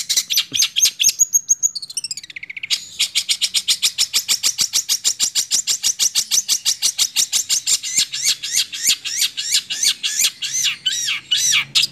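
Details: Six-month-old long-tailed shrike, a cendet kept as a songbird, delivering a fast rolling song: long runs of rapid high repeated notes after a brief thin whistle, steady and dense throughout with no other sounds.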